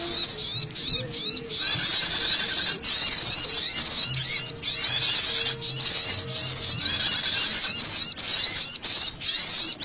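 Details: Scarlet-headed flowerpecker lure call used for trapping birds. Loud, very high thin calls with rapid sweeping notes repeat in dense bursts separated by short gaps, over a steady background hiss.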